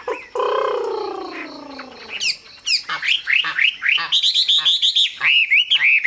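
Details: Chinese hwamei song: a long, low, drawn-out descending note opens, then a fast series of bright whistled upslurs and rolling phrases, delivered loudly and continuously.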